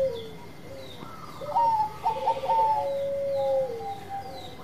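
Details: Bangkok-type zebra dove, a lively singer, cooing as a lure to get other birds singing: soft tonal coos, then a brighter run of clipped, fluted notes, over faint background noise.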